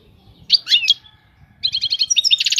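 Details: A brief batbata phrase from a European goldfinch: a few sharp, slurred twitters, a short pause, then a quick run of repeated chirps becoming a buzzy trill. There is soft low background noise.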